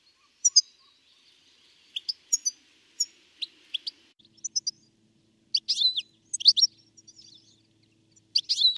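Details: A European goldfinch in the De Doort nature area, Limburg: bright, tinkling high notes in short bursts, quick liquid twitters every second or so, over a faint low background hum.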